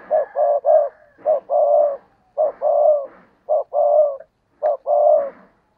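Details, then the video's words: Spotted dove used as a decoy, calling to stir wild doves to coo; five rapid hollow coo phrases, each with one or two clipped notes leading into a longer mellow coo, close and clear. "Chim Cu Mồi Cây Thúc Gù Và Gáy Gọi/ Cu gáy kích bổi nhanh nổi gù"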